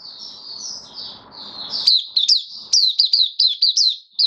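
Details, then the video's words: White-eye (Mata Puteh) kept in captivity, recorded 18 May 2022 after regular deworming: a drawn-out high twittering warble gives way to a steady string of sharp, rising-then-falling whistled notes at a brisk pace. "Mata Puteh Kitaro buka sing"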